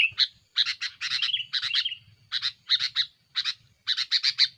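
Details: A sooty-headed bulbul in aggressive song to pressure rivals, used to lure birds: paired and tripled rasping chirps in quick clusters, one short whistled slur, pauses between groups, and a low hum underneath.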